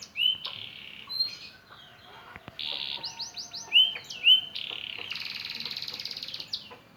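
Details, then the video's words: Young canary practising song after moulting: scattered high chirps and short whistles, with brief buzzy trilled passages and a dense rattling phrase toward the end, separated by quiet gaps. "BURUNG KENARI AF BELAJAR BUNYI PASCA MABUNG"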